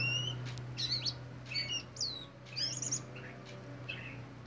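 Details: Black magpie, known locally as than đen and kacer hitam, singing: varied whistled phrases with rising and falling slurred notes in short bursts, clear pauses between phrases, steady low hum underneath.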